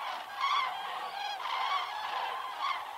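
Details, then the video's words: Common cranes on the Hortobágy steppe, Hungary, during the September–November migratory stopover, where up to 160,000 gather. Flocks return at evening from daytime feeding to night roosts. A loud, continuous chorus of overlapping trumpeting, rattling calls, with stronger bursts about every second. "the sound of cranes"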